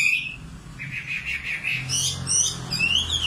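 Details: Brief nightingale song fragment: a wavering series of high notes, then scattered rising and falling whistles, against a faint low rumble.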